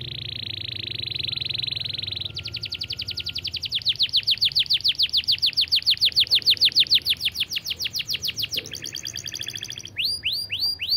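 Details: Canary singing a fast, tight, long and clear master song: a steady buzzy trill for two seconds, then a rapid run of repeated descending notes, a quicker trill and a few bright rising sweeps.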